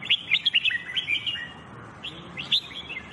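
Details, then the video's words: Red-whiskered bulbul (jambul bulbul) singing for song training: a quick run of bright, bubbly chirps and short whistled notes, pausing briefly before a second burst. "Red Whikered Bulbul Jambul bulbul SINGING"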